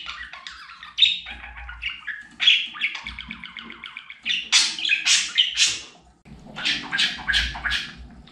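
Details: Domestic budgerigar known as a talker, giving a rapid stream of chattering, raspy syllables, then loud clipped squawky bursts repeated about twice a second, with a low hum in the background.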